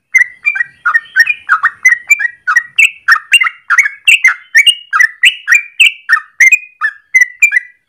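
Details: Yellow-vented bulbul singing a long rapid ropel in morning, recorded as a lure or master for training birds; chattering, bubbly whistles pour out steadily, several notes each second, rising slightly in pitch midway.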